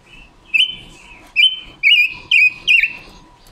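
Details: Female decoy red-billed leiothrix singing to train voices and lure wild birds for trapping, October 2021. Four loud, bright whistled phrases come about every half second to one second, each wavering and slurred downward, with quieter warbles between.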